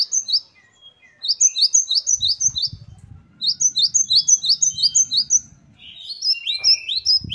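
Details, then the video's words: Great tit known locally as gelatik batu: short bursts of high, quick double chirps repeated in runs, a final phrase of sliding upswept notes, and low rumbling noise behind the middle section. "Gelatik Batu Gacor Variasi Mewah. Great tit. Singing birds. Parus Major."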